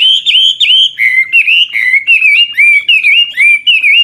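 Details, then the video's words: Old wild Chinese hwamei singing varied, switching phrases to stimulate young birds; clear loud whistled notes, dipping and rising slurs repeated in a steady rhythm, ringing and melodic. "Tiếng chim họa mi mồi già rừng hót luyến láy đảo giọng liên tục, giúp kích chim bổi nhanh hót"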